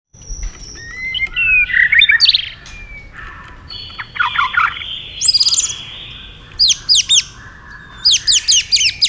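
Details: White-rumped shama singing competitively while flicking its tail fast: varied whistled phrases, slurred notes and rising sweeps, then bursts of rapid high repeated notes near the end.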